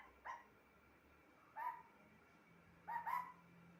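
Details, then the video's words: Talking pet parrot utters three short, separate speech-like sounds about a second and a half apart, the last one a quick double note, with quiet room hum in between. "Talking parrot"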